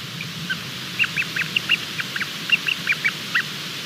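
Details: Hatching Bermuda petrel chick, filmed on a live nest cam late on the night of 28 February 2020, peeping mid-hatch: after a quiet second, a run of about fifteen brief bright notes, closely spaced and slightly irregular, with constant hiss behind.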